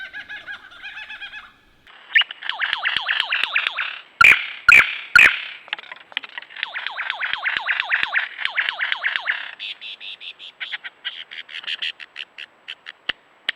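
A lyrebird pours out a loud, rich run of rapid, repeated falling notes and trills, broken by three sharp clicks, with some laughter in the background.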